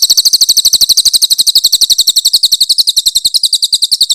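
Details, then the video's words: Grey-headed canary-flycatcher singing loudly and clearly in rough 'tembakan' style, recorded as a master for training songbirds; an unbroken, rapid train of shrill, high-pitched notes, evenly spaced, fills the whole stretch. "AUDIO MASTER BURUNG CILILIN GACOR FULL TEMBAKAN KASAR & SUARA JERNIH"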